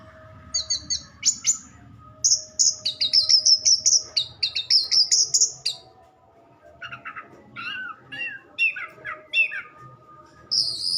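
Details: Orange-headed thrush song of varied phrases: quick high trills and rattles, a long sweeping run of notes near the middle, then lower slurred whistles and short rising notes, with a faint steady background hum.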